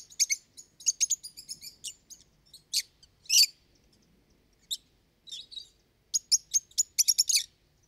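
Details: Lovebird song of rapid, high squeaky chirps in quick clusters, some ringing and whistled, broken by a loud harsh shriek and short pauses; no other sounds.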